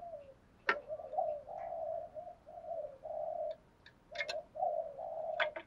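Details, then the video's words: Spotted dove (cu gáy, cu cườm) in thúc gù and gáy gọi cooing used to make wild birds answer: an almost unbroken chain of low hooting notes, rising and falling, punctuated by sharp clicks and knocks nearby. "tiếng chim cu gáy bài bản [ Thúc Gù + Gáy gọi ] bổi nghe gáy theo liền/ cu cườm thúc gù"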